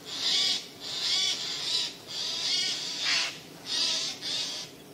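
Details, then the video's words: Eurasian jays hidden in spruce trees, recorded 13 September 2024, giving harsh, rasping screeches in bursts of about half a second, repeated irregularly about 45 times a minute, with a woman speaking quietly afterwards. "Голоса соек"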